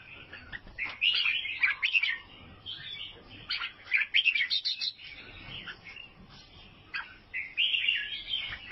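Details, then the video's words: Vietnamese albino sooty-headed bulbul delivering rapid twittering phrases in uneven bursts, with sharp high notes and a quieter gap midway before the lively chirping starts again. "KICAUAN BURUNG KUTILANG ALBINO OF VIETNAM"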